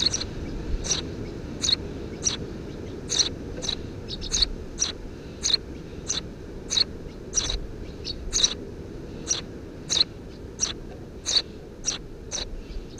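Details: Three Eurasian tree sparrow nestlings in a nest under a house roof, recorded June 2017, give short, sharp high chirps about every half second to second, sometimes doubled, over a steady low rumble.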